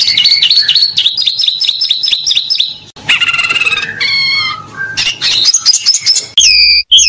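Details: Competition Oriental magpie-robin delivering isian fill-in phrases beside rivals on one hanging line: fast repeated two-tone chips, then varied warbled and buzzy phrases with rising whistles, ending in clear high whistled notes.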